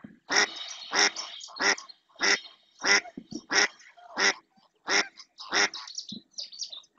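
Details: Female mallard calling insistently in the marshes of Doñana National Park, Spain, as another female and a pair of males approach; loud harsh quacks repeated about every 0.65 seconds in a steady series, with faint other bird notes between.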